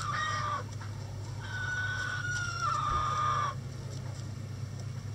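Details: Rooster crowing in a chicken coop at a sanctuary on a sunny day: a short opening note, then one long, steady, strained crow held about two seconds and dropping slightly at the end, over a low steady background hum.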